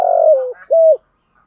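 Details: Spotted dove cooing, male and female calling to stimulate kept birds; a loud, rough coo slides slightly downward, then a single short hollow note ends it.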